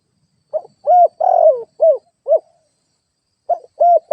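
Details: Lure-bird spotted dove cooing: a full phrase of a soft opening note, two drawn-out mellow coos and two brief falling notes, then a pause of about a second before the next phrase begins.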